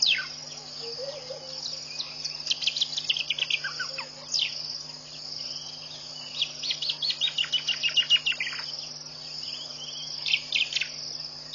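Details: Dawn birdsong at 5:00am, 4 January 2014, beside a pond in Botswana's Mashatu Game Reserve. Quick series of sharp whistled notes and chirps, some in rapid rhythmic runs, set against a constant buzzing insect chorus.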